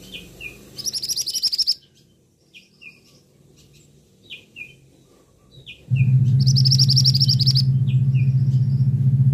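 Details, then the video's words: Male scarlet minivet giving two bursts of rapid, high, piercing notes several seconds apart. Softer downslurred chirps from other birds fall between them, and a loud steady low hum starts partway through. "'Teriakan' Burung Mantenan Jantan"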